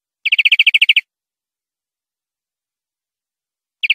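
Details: European greenfinch song from a clean tutor recording made for educating captive greenfinches: a brisk trill of about ten rapid, even notes lasting under a second, then silence before a second trill begins; no background noise.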